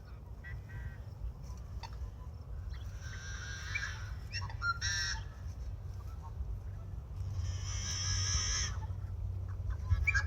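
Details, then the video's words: Yellow-headed blackbird giving harsh, buzzy, rasping calls in bursts of about a second, mixed with short clicking notes, over steady low wind rumble. "The yellow headed Blackbird makes some interesting sounds!"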